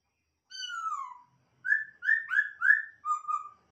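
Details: Masked laughingthrush kept for breeding: a long falling whistle, a pause, then five quick loud whistled notes in a rising, wavering run, clean with no background noise.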